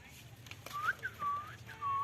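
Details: A pet Indian ringneck (rose-ringed parakeet) in talking training gives four clear, mid-pitched whistles over two seconds, the first rising and the later ones level and drawn out, in an otherwise quiet room.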